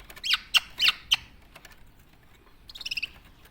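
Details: Captive tame black-naped oriole in Java giving a string of four sharp, harsh notes, then after a pause a quieter rapid stuttering trill of about eight beats.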